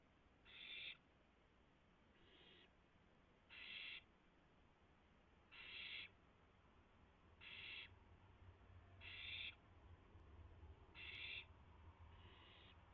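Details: Owls at a nest during a night-time rabbit delivery, 3:38 AM, 7 April 2016; eight harsh, breathy hissing bursts of roughly half a second, repeated about every one and a half seconds over a low background rumble.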